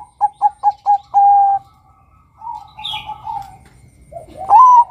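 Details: Male zebra dove luring other males with four quick short coos and a longer held note, a quieter wavering phrase, then a loud rising coo.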